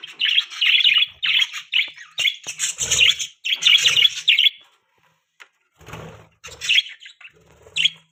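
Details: Happy pet budgies in the morning give bursts of high scratchy warbling chirps, loud and dense for about four seconds, then a pause and scattered short chatters, with some rustling and low hum.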